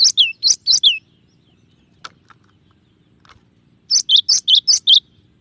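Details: Varied song of a cinereous tit, quick high two-part notes falling from a piercing top to a lower chip, given in short runs of three to six with a faint click between runs.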